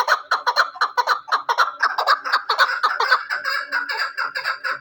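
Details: Hunting chukar partridge repeating quick, clucking chuck notes about twice a second, the notes running together into a buzzier, sustained chatter in the second half.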